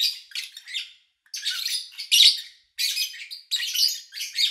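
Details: Pet lovebirds recorded in August 2019, with little engine noise or human activity around. Bursts of harsh, scratchy high chirping come in clusters, broken by short silent gaps near the first and third seconds.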